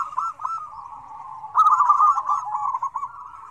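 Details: Several zebra doves calling noisily together, a combined recording meant to coax reluctant doves into calling; overlapping rapid stuttering coos, rolling and bubbly, run continuously and swell louder about halfway through.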